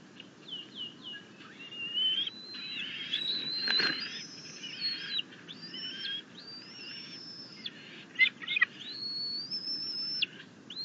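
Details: Bald eagles at a camera-watched nest on June 10, 2021, the female bringing a rabbit and the male grasses while the eaglet objects; long high sustained whistles alternate with chittering bursts, with a single thud of movement.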